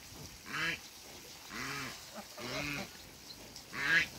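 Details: African geese, a pair being introduced on a farm: four harsh, nasal honks with strong harmonics, spaced roughly a second apart, each dipping slightly in pitch, over a low background hum.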